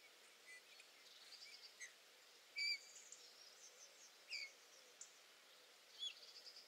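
Eurasian bullfinch giving three soft, short piped whistles about every two seconds, over faint background chirps from other small birds.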